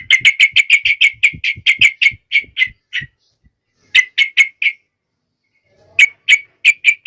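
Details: Yellow-vented Bulbul (trucuk) belting out rapid chirping to prompt other trucuk birds to sing: a long rattling string of sharp notes slowing toward the end, then two shorter quick bursts after silence.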